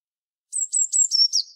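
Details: Brief Eurasian blue tit song of five or six very high, clear notes, each slightly lower than the last, delivered in a quick, even sequence.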